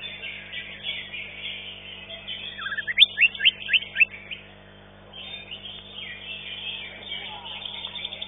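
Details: Green leafbird at a singing competition where it took fifth place. A burst of sharp, rising whistled notes in mid-clip stands out over a steady wash of many other caged birds singing together.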